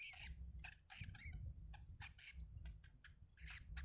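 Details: Yellow bittern chicks in a wild nest as the mother bird feeds them, giving short squeaky chirps in irregular bursts, over a steady low rumbling thump and a constant thin high hiss.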